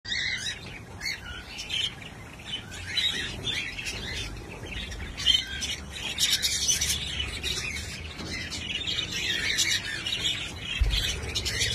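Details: A busy aviary colony of budgerigars, kept alongside cockatiels, chatters with constant high, scratchy chirps and warbles.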